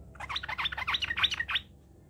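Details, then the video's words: Sooty-headed bulbul singing as a lure to prompt other bulbuls to sing and answer: a lively 1.5-second run of bubbly, chirping notes that rise and fall, sung clearly with little background. "PANCINGAN TRUCUK SUPAYA RAJIN GACOR"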